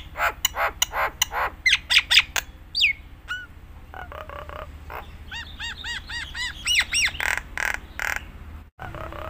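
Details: Nias hill myna in full song, used as a master recording to train other mynas: a varied run of loud whistles, sharp clicks, rising and falling slurred notes and a series of repeated looping whistles, with a low steady hum beneath.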